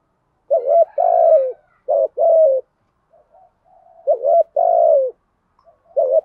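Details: A decoy spotted dove used to lure wild doves, cooing in deep, mellow phrases: a short hooting note followed by a longer, slightly falling coo. The phrase repeats after quiet gaps, with no other sounds.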